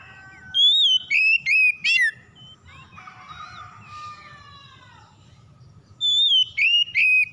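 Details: Oriental magpie-robin singing to provoke others of its kind: a run of four strong whistled notes, then a softer, lower, rambling warble, then another burst of bright, ringing whistles. A faint rumbling hum sits underneath.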